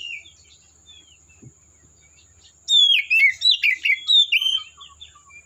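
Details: Wild Oriental magpie-robin singing in forest: soft scattered whistles, then from about the third second a loud burst of rapid, varied whistled and slurred notes for two seconds, fading to quiet phrases; faint steady high hiss throughout.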